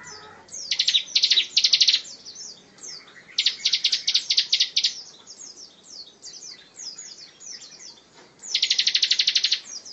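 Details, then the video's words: Bar-winged prinia song in a rapid, tightly packed style, used as training material for other songbirds: bursts of fast, buzzy high trills lasting about a second, separated by scattered thin chirps. "Ciblek tembakan rapat cocok buat isian"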